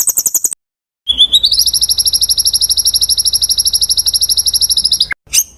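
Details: Murai (magpie-robin) training song: quick high ticking notes, a pause, then an upward-sliding whistle flattening into a long steady buzzy trill, ending in a short slurred phrase.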